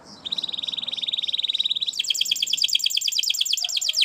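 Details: Spanish Timbrado canary singing for canary training, a fast metallic rolling trill held steady for nearly two seconds, then switching to a higher, denser rattling roll that continues to the end.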